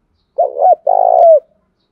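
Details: Spotted dove decoy cooing used to lure other doves into answering: two short wavering coos followed by a longer, steady, throaty coo ending in a falling tail, clear and close with no background sounds.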